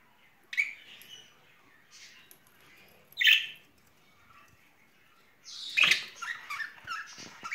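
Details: Budgerigar pair, described as lovebirds in spring, giving scattered squawky chirps separated by pauses, ending in a louder burst of rapid harsh chatter.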